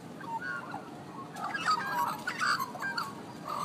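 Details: Australian magpies on busy downtown streets of Canberra, Australia, in hot summer above 100 degrees, give mellow, fluting warbles that shift up and down in pitch, with brief gurgling notes over light background hiss.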